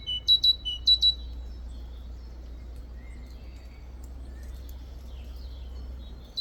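A great tit gives two quick bursts of sharp, high, ringing notes near the start, then fainter high chips over a steady low hum.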